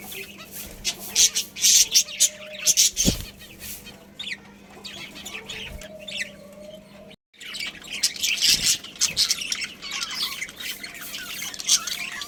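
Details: A family colony of budgerigars chatters almost continuously, with high scratchy chirps and twitters, a brief pause midway, and a faint steady hum underneath.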